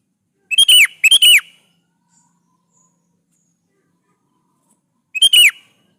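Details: Sooty-headed bulbul (kutilang) in full song, played to provoke other bulbuls into replying: two quick clear whistled phrases back to back, each ending in a falling slur, then a long silence and a third matching phrase.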